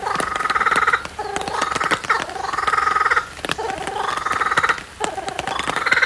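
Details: Laughing kookaburra laughing on a rainy day; loud raucous cackling phrases that rise and fall in bursts about a second long, sliding up and down, with clicking rain-like ticks in the background.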